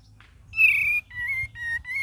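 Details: Cream-vented bulbul in full 'gacor' song with 'ngeriwik' variations: a brief soft note, then long sustained whistles, slightly wavering and separated by short gaps, over a faint low background hum.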